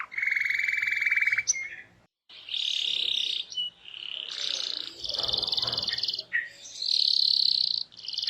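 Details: Canary singing to encourage other canaries to join in: long sustained rolling trills at changing pitches, linked by short buzzy phrases, with a brief dull rustle midway.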